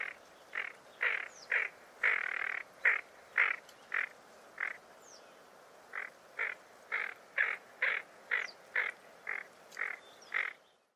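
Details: Tufted duck (Aythya fuligula) giving a long series of harsh, rasping 'karr' notes, about two per second with a brief pause midway; faint thin whistles from other birds behind.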